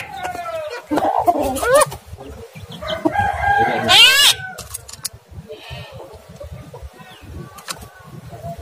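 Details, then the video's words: Lure sounds of a starling (jalak) used to provoke a lazy, rarely singing caged starling into full song; sliding whistled notes, harsh buzzy bursts around four seconds, then quieter scattered chirps over low background rumble. "pancingan jalak kurang rajin dan gacor"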